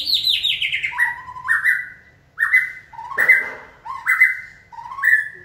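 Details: White-rumped shama trained to sing on a human cue; a falling cascade of notes, then repeated two-part phrases with a low note jumping to a higher whistle, about once a second.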